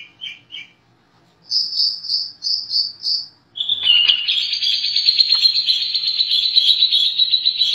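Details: Long-tailed shrike singing a master song with imitations of sparrow, canary, lovebird, kapas tembak and cililin: two short chirps, then five evenly spaced high whistled notes, followed by a sharp note and a long, fast, buzzy high trill.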